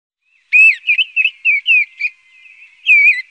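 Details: Mistle thrush singing: a short phrase of clear, fluted whistled notes, each slurred down and up, about seven in quick succession, a brief soft pause, then a final louder warbled note; no other sounds.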